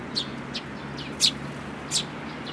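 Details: In a brief burst from sparrows with a chick on 18 May 2018, four quick high chirps are heard, two of them louder and harsher, over a low background hum.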